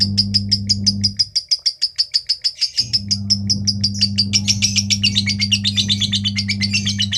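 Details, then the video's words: Lovebird with 'konslet' singing from Kepanjen, Malang, East Java, Indonesia: rapid high chirps in a steady run that turns into a busier, scratchier twitter toward the end, over an intermittent low electrical hum. "Love bird bahadur KONSLET"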